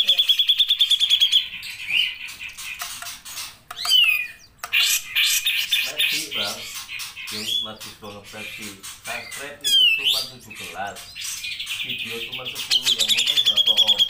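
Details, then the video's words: Grey-cheeked bulbul singing actively in long bursts: a rapid high trill of repeated notes opens, then harsh squawks, chattering notes and sharp upward whistles, ending in another fast ringing trill. "CUCAK JENGGOT GACOR"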